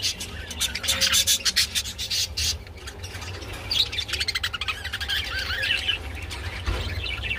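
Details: Mating budgerigars chatter in fast, clicking, rattly bursts of scratchy notes, followed by softer twittering, with a constant low hum behind.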